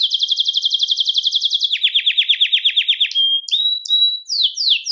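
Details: Belgian canary song used to attract and call canaries: rapid trilled tours of repeated notes, first high then slightly lower, followed by clear whistled notes and sharp descending chirps, no other sounds.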